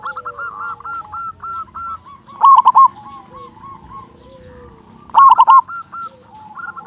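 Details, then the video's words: Big-voiced local zebra dove sings to lure other doves into song: two loud, bubbling trilled coo phrases about three seconds apart, with a steady backdrop of softer cooing. "Perkutut lokal gacor suara besar pancingan burung perkutut agar cepat bunyi"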